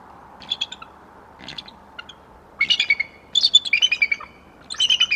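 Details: A pair of Bald Eagles, male and female, vocalizing together in January before an attempted copulation, giving bursts of high, thin, chattering chirps in rapid series, separated by short pauses.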